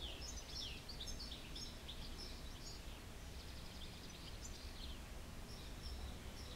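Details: Eurasian goldfinch with rapid, high, liquid twitters and chattering notes in a nearly unbroken stream, some short slurred whistles mixed in, over a persistent low background hiss.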